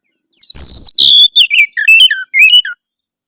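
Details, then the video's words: Harsh, rival-provoking song of an Oriental magpie-robin: short bursts of loud whistles and descending slurred notes, about six phrases in two and a half seconds, then silence. "suara kacer kasar memancing lawan auto gacor"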